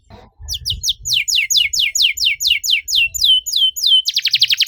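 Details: Canary song in a dense, rapid cuit-cuit style, used to prompt quiet canaries to sing. A brief low rumble comes first. Then steady rows of high, falling whistles follow, ending in a fast stuttering trill.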